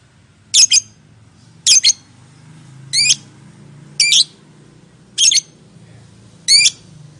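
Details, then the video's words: Lovebird call meant to prompt others to answer: six shrill two-part squawks about a second apart, some with rising, sweeping notes, over a faint low hum. "Suara Burung Lovebird, Memanggil, Yang Bisu Langsung Nyaut, Ngekek Panjang Gacor Respon Langsung."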